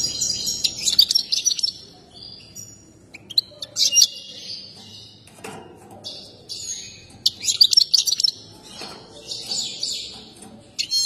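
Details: Agitated European goldfinch, a breeders' favourite, sings during its display dance: lively twittering bursts with liquid, buzzy trills separated by short quiet gaps, plus faint clicks and rustling.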